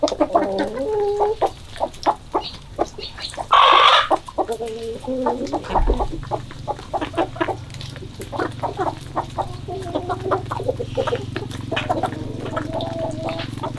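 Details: Chickens on a February 2022 morning, giving a few warbling drawn-out calls, a brief harsh squawk, then a long run of rapid, irregular clucks over a steady low hum.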